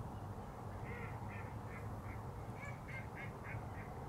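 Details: Smew recorded at De Banen on 2 January 2013: a run of about ten short, husky mid-pitched notes, loosely spaced over a few seconds, above a constant low rumble of background noise.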